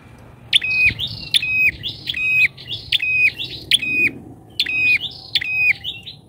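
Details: Bar-winged prinia used as a lure bird, calling loudly: quick series of bright, clipped chirps with level high tones and a sharp upper flick, delivered almost continuously with brief gaps.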